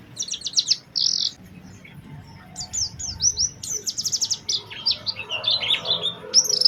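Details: Lure song of an Oriental white-eye, played to set other white-eyes singing: rapid high chattering trills and buzzy stacked notes in bursts, rising and falling, with soft background rumble.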